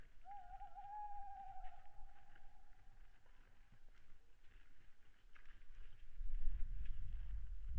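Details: Owl calling late at night, 22:15, 26 February 2017, webcam recording from a deer site on Saaremaa, Estonia. A quavering, tremulous whistled note lasts about three seconds, then rustling and a loud low rumble near the end.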